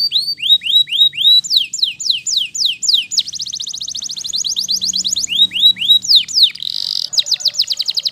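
Waterslager canary singing a continuous song of rapid, liquid, looping notes, shifting between rising swoops and fast bubbling trills, several notes per second.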